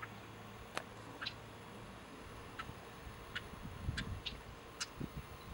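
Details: A cactus wren in a back yard on 21 July 2011 gives sharp, dry clicking notes spaced irregularly over a few seconds, over a steady low rumble of background noise.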